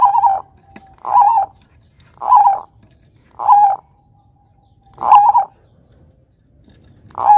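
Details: Lure song of a Bangkok-type zebra dove, meant for teaching young birds to sing: six soft, rounded coos with a short wavering start, spaced irregularly about one to one and a half seconds apart, otherwise quiet.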